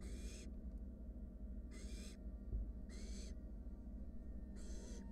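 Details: Four long hoarse hisses, spaced irregularly, from wild barn owl young at their nest box while a sibling takes its time swallowing a rat. A faint low hum runs beneath.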